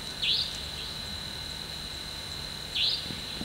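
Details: Franklin's Nightjar (Caprimulgus monticolus), a female with chicks on the forest floor at night, gives two short, sharp, high calls about two and a half seconds apart, over a steady high insect drone.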